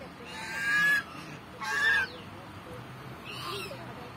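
A goose gives two loud, nasal honks about a second apart, then a softer third one; low background rumble throughout.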